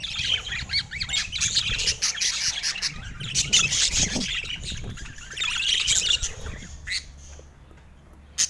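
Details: Happy budgies sing on a sunny San Diego morning, a busy mix of chirps, squawks and bubbling warbles that fades toward the end, leaving a faint low hum.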